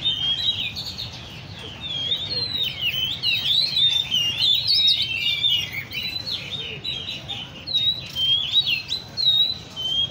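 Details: Caged Oriental magpie-robins at a bird cafe in Le Thi Rieng park: a dense stream of sweet, varied whistled phrases that rise and fall and overlap, with a low background hum.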